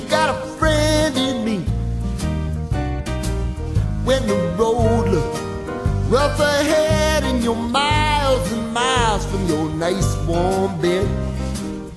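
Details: Upbeat country-style music with singing and instruments fills the recording, with no animal sound. Strong bass and a steady rhythm carry on throughout, and no whistles or calls stand out.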